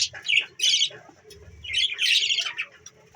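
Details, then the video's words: Budgerigars kept as pets, December 14, 2023, give short clusters of shrill, buzzy chirps in three or four bursts, each sliding and squeaky, over a faint low hum. "budgies Parrot budgies birds ❤️❤️ cute 🥰🥰 budgies Bueatiful Sounds"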